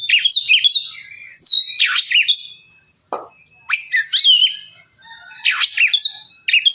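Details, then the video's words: Oriental magpie-robin song used to spur another bird to sing: loud whistled phrases with steep downward sweeps and quick flourishes, interrupted by a short low click and brief silences. "Kacer males bunyi jadi gacor 🔥 pancingan Kacer biar cepat gacor dan emosi"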